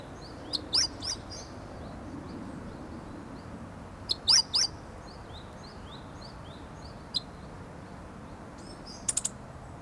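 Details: Young Meadow bunting practising its song on 8 March 2011, calm and close, shifting from calls toward full song; short clusters of high, sharp chirped notes come in scattered bursts, with some fainter, softer notes in between.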